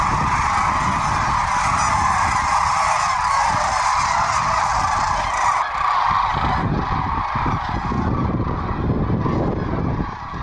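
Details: Sandhill cranes, about 750 to a thousand, flying back in to land around lunchtime after morning foraging at Willcox, Arizona, late winter into spring; a dense, continuous chorus of rolling, trumpeting calls overhead, with wind rumble.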